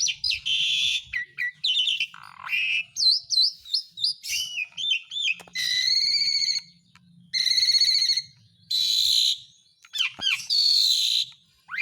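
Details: Lure for lazy caged birds, the song of an Asian pied starling: mixed bursts of harsh rasping buzzes, rapid wavering whistles and squeaky slurs, phrases coming in quick irregular succession.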